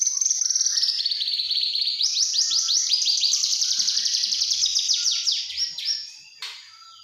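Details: Juvenile Javan bush lark delivering a long, dense song of fast, high chattering trills and sweeping notes, sustained for about six seconds before fading, with a short click near the end.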